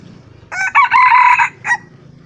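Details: A single wild red junglefowl crow, recorded 28 June 2020: a harsh, strained, several-part call lasting about a second, followed by a brief clipped final note, over faint background noise.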